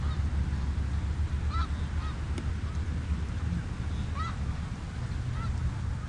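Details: Snow geese calling on the Richelieu River: a handful of short, arched, nasal honks spaced a second or more apart, some louder than others, over a steady deep background rumble.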